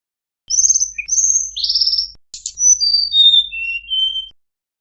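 A jongkangan sings high, buzzy trilled phrases, then a run of clear whistled notes stepping downward, about four seconds long, with no other sounds.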